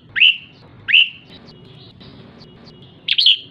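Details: Ché calls of a female red-whiskered bulbul, meant to stir up males: two clear upswept chirps about 0.7 seconds apart, a quiet gap, then a brighter double chirp at the end, with low background hum.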